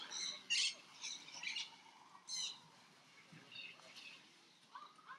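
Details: Crimson-bellied parakeets during feather care and mutual preening give a few short, harsh, raspy squawks, spaced irregularly, over a soft hissing background with faint lower notes near the end.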